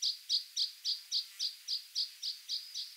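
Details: Water pipit (Anthus spinoletta) calling: a steady series of eleven short, high, sharp chirps, about four per second, each note clipped and evenly spaced, over a quiet background.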